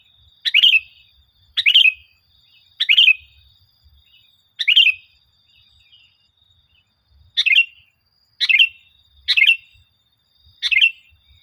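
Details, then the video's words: Lively sooty-headed bulbul song used as a lure to get kept bulbuls singing: eight brief, gurgling, chirpy phrases about one second apart, with a short pause midway, over near silence. "Suara Burung Kutilang Gacor, full Suara Pancingan Kutilang"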